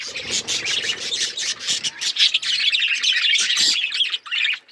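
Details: Budgies chirping and singing: continuous overlapping high chatter from a group of birds, with soft low rumbles in the background.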